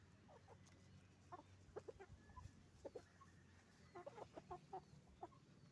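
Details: Chicken farm with roosters and hens: scattered brief clucks and sharper squawks from several birds, loosely grouped in short runs, heard over a low, steady rumble of farm machinery or ventilation.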